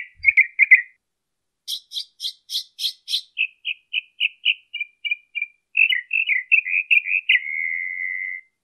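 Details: Mockingbird from Colton, California, 23 March 2015: a few chirps, then five harsh, broad rasping notes, a string of clear short notes, a run of warbled chirps and finally one long steady whistle held for about a second.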